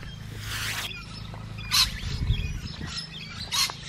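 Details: Musk lorikeets feeding, giving two short shrill screeching bursts about two seconds apart after an opening rush of broadband noise, with a low steady hum underneath.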